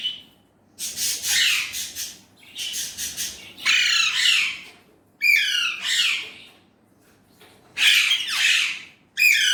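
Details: Indian ringneck parrot noted for talking in Urdu/Hindi: pulsed, stuttering harsh notes at first, then several loud descending rasping squawks spaced over a few seconds.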